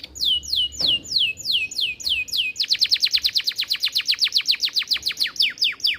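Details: AF canary, a very active singer used as a master tutor for young birds and to stimulate hens to breed. High, downward-swept whistles, then a fast, even trill of rapid repeated notes.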